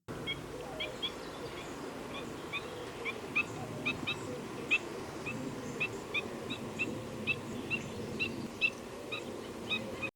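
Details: Black-winged Stilt, a fluctuating rare breeder in the Netherlands, giving its sharp, piercing, high yelping call, repeated rapidly in short bursts over a steady low rumble of wind or distant background noise.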